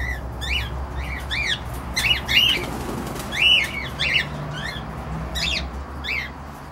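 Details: Cockatiels trading rising-and-falling squawky chirps almost continuously, calls following one another at short irregular intervals over a low background rumble.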